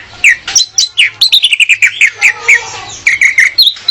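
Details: Female orange-headed thrush singing to lure a male, used as tutor audio for training: a rapid series of clear whistled notes around mid-high pitch, some slurred downward, with short gaps and a faint low hum beneath.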